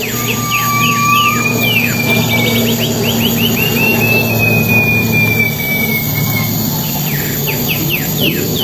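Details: Wild silver-eared mesia, lure audio: a sustained low whistle, then bursts of fast descending chirps and a long gliding whistle, repeated loudly over persistent low humming and faint music.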